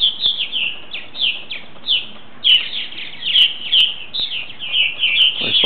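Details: About ten purple martins dropping into their house for the night, calling constantly with burry descending chirps, loud and overlapping, with occasional sharp clicks.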